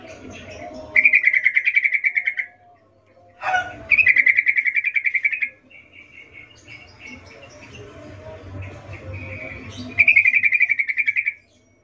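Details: Lively yellow-vented bulbul recorded in the wild. Three bursts of fast, buzzy repeated notes at an even pitch, each lasting one to two seconds, are separated by quieter soft notes and low background rumble.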